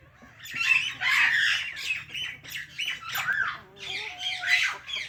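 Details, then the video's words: Parrot giving a continuous run of raspy, squawky chirps and warbled notes, steady and dense for about five seconds. "Natural Parrot Chirping Sounds"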